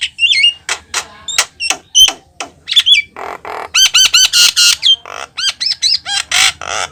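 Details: Vigorous Javan myna song meant to draw in wild mynas. Curling whistled notes and harsh squawks give way to a quick series of ringing, metallic notes and rough chatters.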